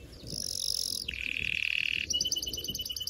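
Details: Canary singing to excite mates for breeding: a high buzzy trill drops into a lower steady rolling tour, then switches to quick repeated bright notes, all in about three seconds.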